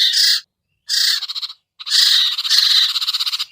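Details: Sirtu or cipoh (common iora) lure sound for wary birds: three raspy buzzing bursts, the last long and breaking into pulsing, stuttered notes.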